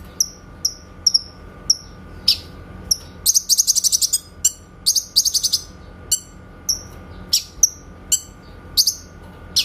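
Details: Cucak kinoy, or grey-cheeked bulbul, master song for training white-rumped shamas: evenly spaced high, sharp chirps followed by fast rattling bursts and more single whistled notes, over a low hum.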